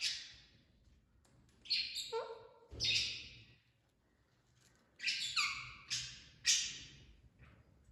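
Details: Parrots vocalizing: a mix of hoarse squawks and short tonal, falling calls in irregular bursts against a quiet background.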